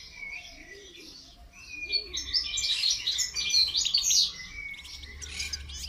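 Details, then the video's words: Goldfinch singing during song training: dense, fast twittering of high chirps and buzzy trills that builds in loudness mid-way, with a faint low cooing sound beneath. "Motivational rewards for training goldfinch to song"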